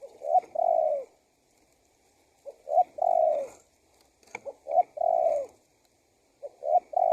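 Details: Spotted dove lure call for wild doves: repeated phrases of two quick notes and a long, drawn-down coo, four phrases at steady intervals with brief clicks between.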